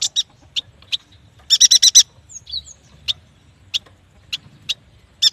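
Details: Yuhina (prenjak batu) uttering isolated sharp high chips spaced under a second apart, with one brief rapid chattering burst and faint slurred whistles.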